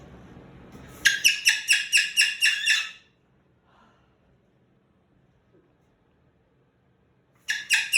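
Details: A male Moluccan cockatoo kept as a pet throws a bedtime tantrum indoors, resisting being put in his cage: a rapid volley of about eight raucous screams over two seconds, a long quiet gap, then another screaming burst.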